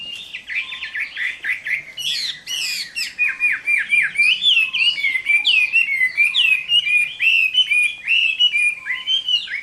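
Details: Chinese hwamei in fighting song on a summer midday, a fast, continuous torrent of loud whistled and harsh notes, several per second, with varied slurs.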